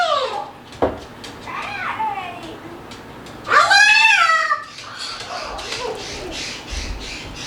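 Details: Pet male Moluccan cockatoo running, jumping, talking and making noises indoors; a few slurred speech-like squawks, then a loud, harsh, strongly harmonic screech lasting about a second, followed by softer chattering.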